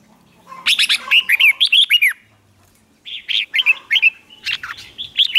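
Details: Red-whiskered bulbul singing hót ché, a contest style meant to make other birds sing back; two energetic strings of quick, chattering whistled notes, each over a second long, separated by a short silence.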